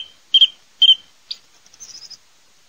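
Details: Song thrush repeats a clear whistled phrase twice, adds a single sharp note, then a soft high twittering trill.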